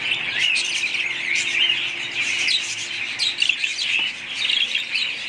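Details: Chattering budgerigars, a busy unbroken stream of high chirps and scratchy warbles from several birds at once, with short sharper notes standing out around the middle.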